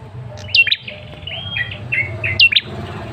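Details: Male tailorbird call used as a lure to prompt a response: sharp high chirps and short whistled notes with quick down-slurs, in small clusters over faint background hum.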